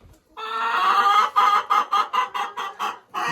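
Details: In late summer, a hen at a henhouse nest gives a drawn-out nasal note, then a run of quick, repeated clucks while pushing an egg out during laying.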